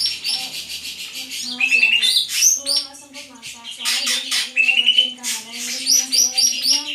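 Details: Greater green leafbird pouring out a varied song of quick chirps, whistles and squawky notes in rapid succession, over a steady low droning tone.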